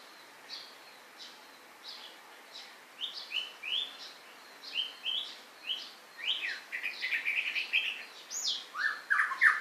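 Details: White-rumped shama singing: a string of clear, short whistled notes that starts sparse and then quickens, with the phrases growing louder, richer and more varied, rising and falling sweeps near the end. A soft, steady background chirping repeats throughout.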